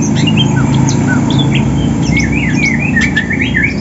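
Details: Morning song of kept greater green leafbirds, Banyuwangi and Sumatra types, prepared for contests and singing to find a rival: quick run of rising and falling whistled notes over constant low droning noise.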